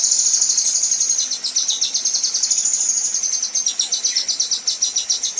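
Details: Female kinoi besetan trill, a tutor recording for contest birds: a very high, rapid, continuous rattling trill that wavers slightly in pitch throughout.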